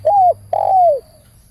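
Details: Spotted dove giving two mellow coos: a short level note, then a longer one that swells and slides downward, loud and close over a faint low hum.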